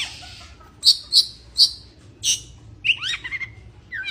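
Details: Oriental magpie-robin in breeding condition: three loud, evenly spaced high chirps, a rasping burst, then a quick twittering series of sliding whistles.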